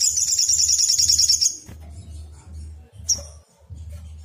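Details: Agitated Brown-throated Sunbird trilling as a lure: a fast, shrill high-pitched trill for a second and a half, then quiet with one sharp chip, over a low steady hum.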